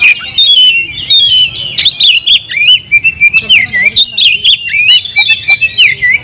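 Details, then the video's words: Caged oriental magpie-robin (kacer) in full, vigorous song: a dense, continuous run of loud whistled and squeaky notes, sweeping up and down with rapid varied phrases and brief harsh clicks, filling the recording without pause. "kacer gacor nagen sampe leklok"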